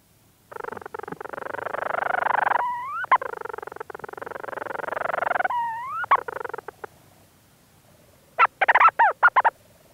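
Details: Leach's storm petrel in a burrow, recorded close: a long rough purring churr broken by sharp hiccup-like upslurred notes, a second churr, then a fast burst of chattering syllables.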